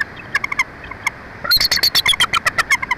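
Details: Wild bald eagle pair at their nest 145 feet up in a Jeffrey pine in Big Bear Valley, San Bernardino Mountains, Southern California: a rapid series of high, chirping, twittering notes that grows into a dense, excited chatter.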